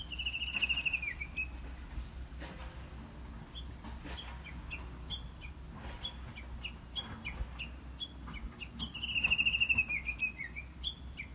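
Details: Japanese bush warbler heard but not seen, giving a high warbled trill that dips at the end, followed by scattered short whistled notes and another trilled phrase near the end, over a steady low hum.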